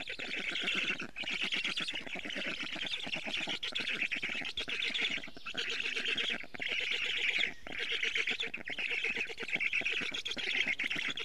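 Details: Harsh, squawking, rapidly pulsed calls in surging bouts roughly every one to two seconds, recorded at an Estonian black stork nest on 12 June 2018 at 4:56 pm while a parent brings in much food.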